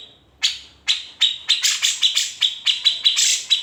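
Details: Cucak jenggot, or grey-cheeked bulbul, delivering its besetan rasps and chips used as master song for other birds; a short whistle, a pause, then accelerating harsh buzzy notes over a ringing high tone.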